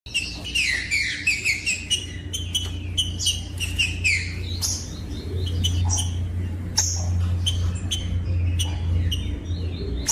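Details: Captive green-winged saltator singing, played to warm up and stimulate caged birds: loud whistled phrases sliding downward, repeated in bursts, with sharp clicks and a steady low hum underneath.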